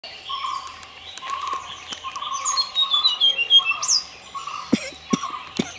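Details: Tickell's blue flycatcher calling: short high chirps and thin whistled notes, with one rising whistle near the end, over a steady lower repeated warbling note, and a few sharp clicks late on.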